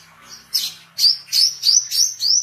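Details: Oriental white-eye in lively, persistent singing, a recording for training songbirds and luring wild birds: a soft opening note, then five bright, high, rising chirps repeated roughly every third of a second, with a faint low hum beneath.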